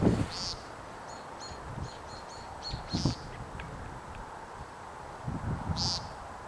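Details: American woodcock peenting at Long Pasture: three short, nasal, buzzy peents about every two to three seconds, with faint high ticking and low rustling wind in the gaps.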